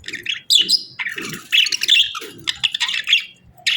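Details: A pair of budgerigars in breeding season chirping; quick bursts of bright, scratchy warbles and short squeaky tweets, with brief pauses between phrases and some low bumping noises.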